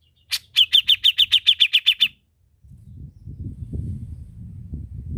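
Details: Cucak jenggot, or grey-cheeked bulbul, singing gacor-style: a quick run of about ten sharp, evenly spaced notes lasting two seconds, then a low rumbling background noise.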